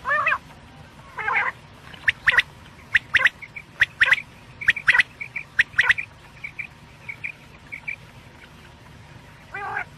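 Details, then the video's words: Quail calling in the morning as a lure: a long run of sharp, quick notes in pairs and threes with soft chirps between, framed by hoarse, nasal honking calls at the start and end. "Batair sound Subha k Liye"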